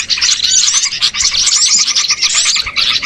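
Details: Small birds heard in a lure recording meant to draw birds in for catching: a dense, noisy flock of overlapping high chirps and short twittering notes, continuous throughout with no pauses.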